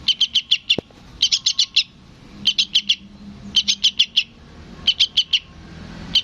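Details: Sooty-headed bulbul fledgling begging for its parent, giving rapid clusters of three to five piercing chirps, the clusters spaced roughly a second apart, over a faint low rumble.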